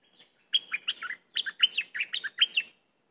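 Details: Cream-vented bulbul singing a chattering phrase of rapid, liquid, bubbling notes in two close groups, lasting over two seconds, loud and clear against a quiet background.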